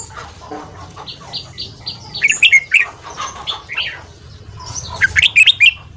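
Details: Morning training song of a red-whiskered bulbul in the fast 'ché' style for a wild-caught bird: high short notes repeated, then two bright, tumbling warbled phrases with sharp upward strokes.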